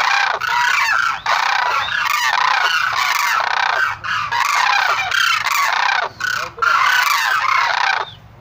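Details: Sarus cranes: a sustained, noisy chorus of harsh honking calls, nearly unbroken, with a few brief dips in loudness.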